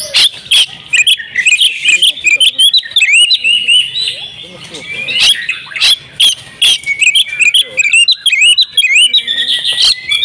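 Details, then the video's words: Female oriental magpie-robin kept at home, singing hard and loudly through varied repertoire phrases: dense, high whistled upslurs and chirps with sharp clicking accents, flowing almost without pause across the whole stretch. "KACER RUMAHAN IKUT GACOR BONGKAR ISIAN SERTA NGOTOT || KACER BETINA"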